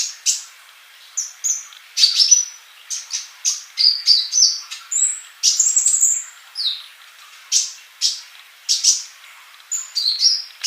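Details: Olive-backed sunbird male singing strongly, a tutor recording for young birds yet to sing: quick high tweets mixed with short rising and falling whistled notes, in an almost unbroken run.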